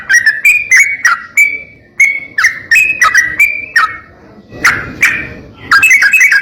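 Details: Sooty-headed bulbul singing actively for training other bulbuls, rapid and harsh in style: bursts of short whistled chirps, some falling sharply, in quick uneven runs separated by brief pauses, with a rough rasping note midway.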